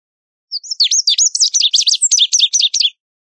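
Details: Lazuli bunting song: a quick run of high, sweeping chirps that starts with a few separate notes, then breaks into a dense, jerky series of paired down-and-up slurs, lasting about two and a half seconds against a silent background.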